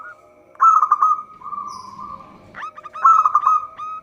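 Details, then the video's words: Local zebra dove cooing, a sound used as a lure for trapping: two bursts of rapid staccato notes rolling into a sustained trilled coo, low and even, with a faint steady hum behind. "Perkutut lokal gacor suara cocok untuk pancingan."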